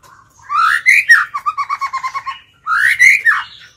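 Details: White-rumped shama decoy challenging wild birds with song. A rising, mellow whistled phrase leads into about ten rapid, evenly spaced notes, then a fresh swooping whistle begins the next phrase.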